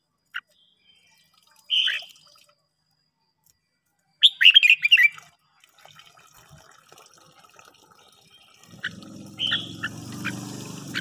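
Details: Red-whiskered bulbul, a kept bird trained to sing in the morning, gives scattered short chirps and one fast warbled phrase. A hiss and a rushing, water-like noise build toward the end.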